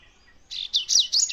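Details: Short burst of Double-collared seedeater song: four quick high notes, a steady buzzy tone followed by sharp down-slurred chips, in quiet surroundings.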